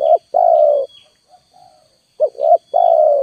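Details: Spotted dove calling as a lure: a long level coo, a soft quiet coo, then a quick double coo leading into another long coo; a faint high tone continues throughout.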